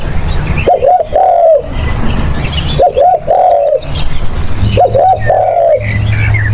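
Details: Spotted dove calling, used as a lure: three phrases, each two quick low coos followed by a longer drawn-out falling coo, spaced about two seconds apart, over a low background hum.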